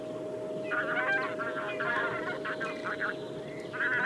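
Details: Several taiga bean geese (Anser fabalis) give overlapping nasal honking calls in quick bursts over a steady low hum.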